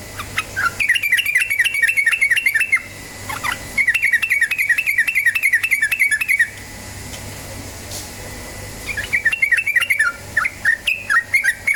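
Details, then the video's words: Yellow-vented bulbul song, played to spur other birds into singing: three long bursts of rapid, chattering warbles, each lasting a few seconds, separated by short gaps. "PANCINGAN TRUCUKAN BAHAN agar cepat bunyi ROPEL"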